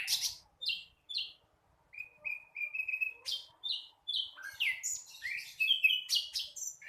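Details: Young flycatcher rehearsing song: scattered high chirps, a steady series of short level notes, then quick varied twittering with downslurred squeaks.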